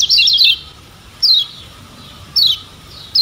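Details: Lemon-bellied white-eye from Lombok, a tutor bird: a brief burst of fast high twittering, then single loud downward-slurred chirps about every second.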